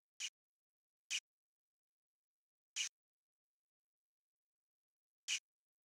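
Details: A Variable Oriole calling gives four short, harsh, dry chack notes at uneven intervals over about five seconds, with near silence between them.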